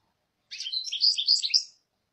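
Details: European goldfinch delivering one continuous, rapid, jingling twitter of bright high notes lasting just over a second, with no other sounds.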